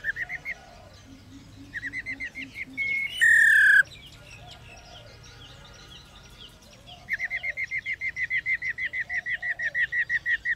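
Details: White-browed laughingthrush female calling to stimulate males to sing; short rhythmic notes repeated in quick series, a loud harsh burst midway, then a long fast run of evenly spaced chirping notes.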